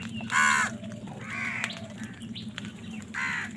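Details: Crows squabbling over food give a loud, rasping caw at the start, then softer, drawn-out caws and a final harsh caw, over a faint low background hum.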